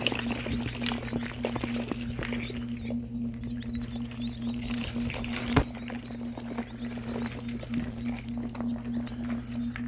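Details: About 60 newly hatched ring-necked pheasant chicks, just taken from the incubator at night, give a constant chorus of high, thin, overlapping, scattered peeps over a steady low electrical hum.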